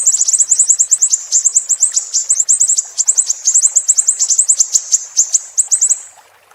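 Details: Siri-siri song for tutoring songbirds: a dense, shrill chatter of very high clipped notes for about six seconds, then trailing off into quiet.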